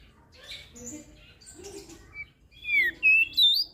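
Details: Crested white-eye from Lombok, used as a tutor song for birds that rarely sing: faint, mixed chirps at first, then loud, clear whistled notes that slide up and down near the end.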